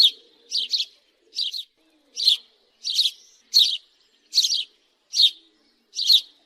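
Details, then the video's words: House sparrow repeating emphatic double cheeps, each harsh and sharp, spaced a little under a second apart in a steady rhythm over faint background sounds. "Sparrow bird call-صوت عصفور الدوري"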